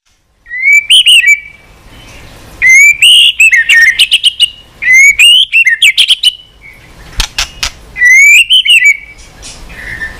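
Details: White-rumped shama singing long and steadily with many unusual voices: four loud bursts, each a rising clear whistle followed by rapid sharp chattering notes, with short pauses between phrases and a few clicks.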